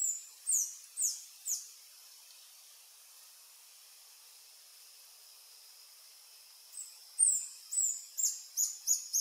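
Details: Reddish Hermit (Phaethornis ruber ruber), a singing adult male on a lek, Sentier de Americains, French Guiana: a few spaced shrill high notes, a long pause, then a quicker run of piercing squeaks.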